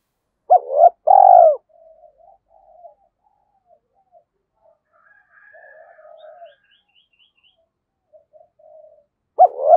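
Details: Decoy spotted dove excited into cooing, 'giọng thổ' style: a loud double-note-and-long-coo phrase at the start, faint scattered soft coos and chirps from other birds in between, and another phrase beginning near the end.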